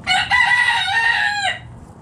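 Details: Backyard chicken flock in the morning: a rooster gives a loud, strained crow of about one and a half seconds, rich and raspy, starting abruptly and fading off at the end.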